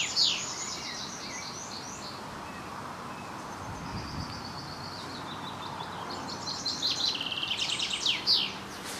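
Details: Common chaffinch in its territory at Vossmoor, singing with all its might on a windy, cool, overcast mid-May 2020 day, gives bright descending runs of notes quickening into a rattling final flourish, twice over soft wind noise.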